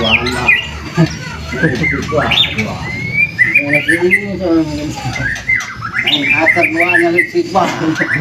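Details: White-rumped shama lure song to set off other birds singing: a dense, loud run of varied whistles, rattling trills and chattering notes with almost no pause, layered over a low hum.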